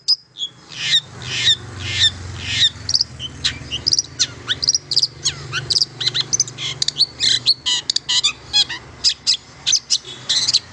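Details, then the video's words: Long-tailed shrike singing, played to encourage mute shrikes to sing often: a long, dense, rapid medley of high chattering notes, buzzy bursts and quick whistled slurs, with a low hum beneath. "KICAU INI AMPUH MERANGSANG CENDET BISU JADI GACOR"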